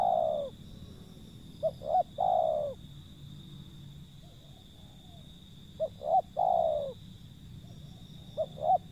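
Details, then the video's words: Wild zebra dove calling: short rapid stuttered notes and longer falling coos in repeated phrases about every four seconds, over low rumbling background noise and a constant high tone. "panggilan burung liar si pehang"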